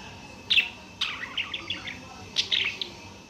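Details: Budgerigar warbling with short, high, chattering chirps in scattered bursts, with a cluster of quick twittered notes after the first second and another run near the end.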